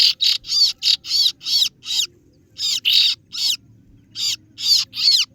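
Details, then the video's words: Kaso-kaso bird, known as singo barong, calling as a lure to summon rivals: rapid runs of strident, scratchy 'ciet' notes, about a dozen in five seconds, with a short pause midway and a low background hum. "Suara pikat burung kaso kaso(singo Barong) Terbukti ampuh ,kaso kaso ciet ciet memangil lawan"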